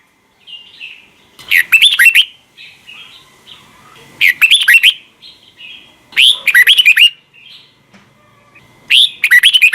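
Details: Red-whiskered bulbul singing a morning double-note wild-style song for training other bulbuls; four bright bursts of fast, looping whistled notes recur roughly every two and a half seconds, with faint softer notes between them.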